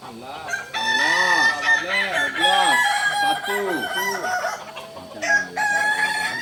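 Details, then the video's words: Kukuak Balenggek rooster, a singing chicken native to Solok, giving a long crow: about seven arched, rising-then-falling syllables in quick succession. Other roosters crow at the same time in the background. "Ayam kukuak balenggek ayam penyanyi asli solok"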